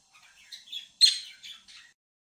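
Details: Pet budgerigars in quiet surroundings give a short run of scratchy, twittering chirps, the loudest burst in the middle and softer warbles before and after.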